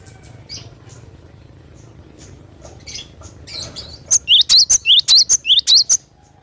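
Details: Cinereous tit, called glatik batu, singing a lively natural song: a fast burst of about nine sharp, high, rising-falling whistled notes packed into the last two seconds, after faint chirps and soft background noise.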